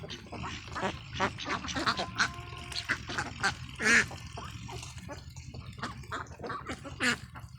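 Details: Ducklings on a farm field, a busy flock chorus of short nasal quacks and squeaks overlapping irregularly, with a constant low mechanical drone underneath.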